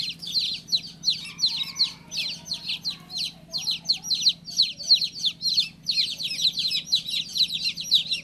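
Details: Sharp, repeated peeps from a baby chick, around three per second, each sliding down in pitch, with soft low background sounds.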